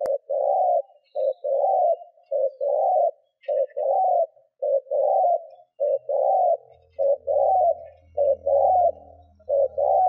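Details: Spotted dove decoy cooing persistently to stimulate wild doves: ten seconds of regular low phrases, a short note then a longer throbbing coo, about fifty per minute, with a faint low hum behind.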